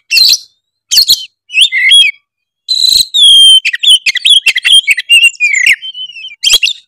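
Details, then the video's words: Oriental magpie-robin, known as kacer tretes, in lively lure song full of varied phrases to make competing birds sing. Loud, clean bursts of piercing whistles, trills and chattering notes, broken by short silences, then a long rich phrase. "pancingan kacer tretes gacor full isian bikin lawan auto emosi denger suara kacer tretes satu ini"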